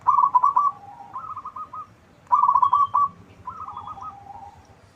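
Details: Local zebra dove with a big voice, sung as a lure so others reply: two cycles of a fast stuttering coo run followed by a softer, falling rolled phrase, over a continuous low hum.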